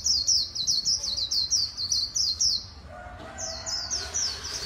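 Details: White-eye in líu song style from Vietnam: a quick run of high, bright, slurred chirps for nearly three seconds, a brief lull with a lower tonal sound, then the twittering starts again.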